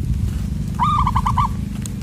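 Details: Wild zebra dove lured during bird trapping, its loud, far-carrying voice: a quick string of about six short cooing notes in under a second over a steady low rumble.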